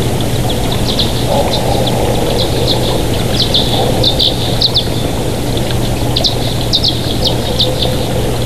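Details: Wild bald eagles at the Big Bear nest on 24 June 2023 at 07:21: bursts of thin, high chirping notes come in quick clusters at irregular intervals over a steady low mechanical hum and broadband background noise.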